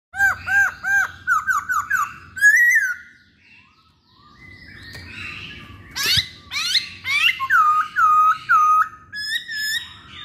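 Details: Masked laughingthrush singing a varied song for luring birds: series of clear, hooked whistled notes repeated about twice a second, a brief pause, then a harsh buzzy burst and more ringing looped whistles with rapid chirps, over faint low hum.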